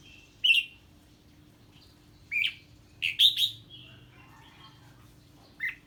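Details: Red-whiskered bulbul reacting to a strange bird with spaced, whistled song notes, some single and one quick cluster of three, separated by pauses of one to two seconds.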